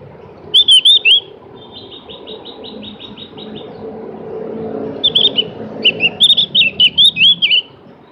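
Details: Javan grey-throated white-eye song: a short burst of twisting high chirps, then a fast, even trill of clipped notes, then a longer run of looping whistled chirps; low rumble underneath.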